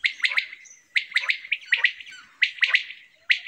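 A quail gives harsh, rasping notes in quick bursts of two or three, repeated about once a second, with no other sounds.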